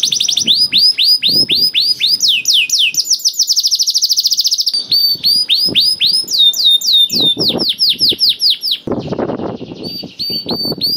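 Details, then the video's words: Singing canary whose song is meant to prompt reluctant canaries to sing: rapid repeated downward sweeps, a dense rolling trill near two seconds long, then chopped whistled phrases; soft low knocks beneath. "KENARI GACOR DOR INI MEMANCING KENARI YANG SUSAH BUNYI JADI IKUT GACOR"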